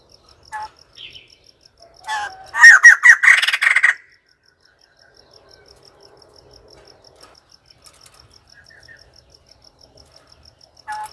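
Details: White-crested laughingthrush call: a burst of loud, rapid, harsh chattering cackles lasting about two seconds, preceded and followed by scattered single short notes against a faint steady ticking background.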